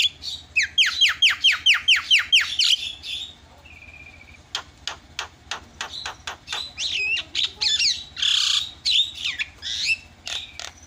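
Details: Javan myna lure sound for making other mynas call: a fast burst of bright, down-slurred chirps, a short whistled note, then dry clicks and a jumble of squeaky and harsh notes.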